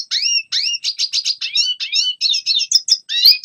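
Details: Red siskin song used for training young birds to sing: rapid high twittering with sweeping rising whistled notes and short buzzy phrases, delivered in quick bursts of about three per second.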